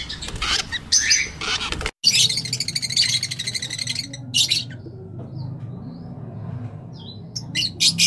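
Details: Rosella, one of several colour mutations kept in captivity: bursts of sharp, harmonic chirps high in pitch, some rapid and stuttering, with short quiet gaps between runs and a low background hum.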